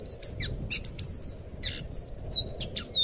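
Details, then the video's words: Anis biru (blue thrush) singing, recorded as tutor material for untrained cage birds: fast sequence of clear high whistles, short rising and falling slurs and rough buzzy notes, delivered without pause over faint low hum. "suara burung anis biru buat masteran burung bahan"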